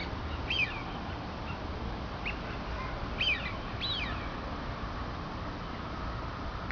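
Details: Several short, high, falling whistled calls from a duck come irregularly, about two dozen a minute. The clearest arrive near half a second, three seconds and four seconds, set against continuous background hiss.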